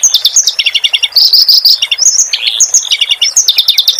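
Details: Training recording of a clamorous reed warbler in song: loud, varied high chattering with quick downslurred whistles and short buzzy bursts, continuous throughout.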